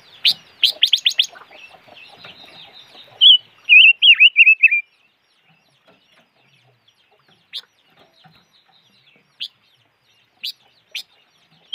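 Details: Silver-eared mesia calling: a burst of sharp stacked chips, then a wavering warbled phrase around mid-pitch, followed by single sharp, spaced notes every second or so in quiet surroundings.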